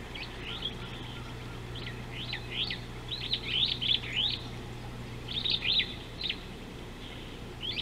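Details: Superb starling at an African river wildlife camera, 19 July 2018: bursts of high, sharp chirps and squeaky slurred notes in quick clusters, with a steady low hum underneath.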